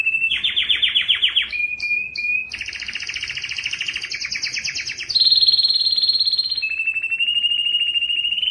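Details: Canary in full song, meant to encourage males to sing and females to breed: lower trilled roll, short chip notes, a long double-toned rattle, then steady whistled tones at two pitches.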